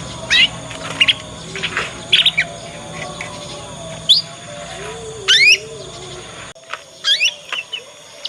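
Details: Juvenile Yorkshire canary in its ngriwik learning phase, a lure for teaching other canaries. Separate high chirps and quick descending sweeps spaced about a second apart, with a low humming tone in the background.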